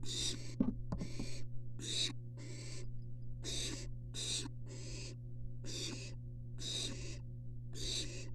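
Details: Three barn owls sit close together inside a University of Florida nest box, filmed by a live nest cam. Rasping hiss-like calls repeat roughly once a second, with a few sharp clicks near the start and a steady low hum.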